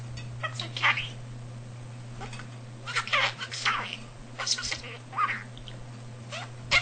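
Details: Male pet budgie mimicking household speech indoors, known for almost 300 words and sentences; quick, squeaky, word-like phrases in several bursts, steady low hum in the background.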